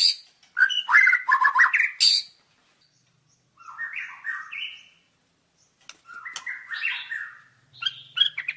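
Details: White-rumped shama (murai batu) singing in a tutor recording: bursts of rich, varied whistled and chattering phrases, loud for two seconds, then a pause, a short rising phrase, another pause and a longer warbled run, with faint low hum near the end.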